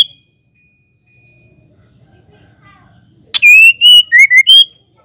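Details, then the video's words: Female white-rumped shama singing to stir up and provoke male birds into song; after about three seconds of near silence, a short loud burst of clear, rich whistled notes, slightly warbling and rising and falling, lasting under two seconds, with a faint steady high hum. "Murai batu betina gacor ampuh bikin jantan emosi"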